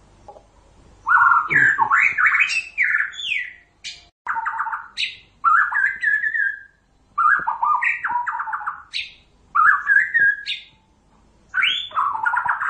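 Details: White-rumped shama (murai batu) in energetic gacor song meant to lure other shamas to respond; bursts of fast trills, slurred whistles and sharp high notes arrive in phrases roughly every one to two seconds.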